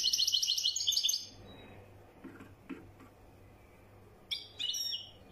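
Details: European goldfinch, widani song style: about one second of quick high twittering, then quiet with faint low knocks, followed by a few separate sharp chirps.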